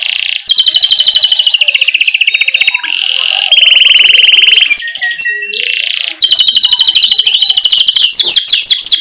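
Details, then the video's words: Canary singing energetically in a rolling style, used as a tutor song for young chattering canaries; rapid high trills change pitch and speed from phrase to phrase, with short breaks between the rolled segments. "Masteran Suara Burung Kenari GACOR Ngerol"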